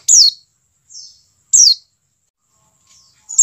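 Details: Pleci dakun white-eye call meant to make kept birds start singing: loud, shrill notes that slide down from very high pitch, about every 1.5 seconds, with softer buzzy notes between them.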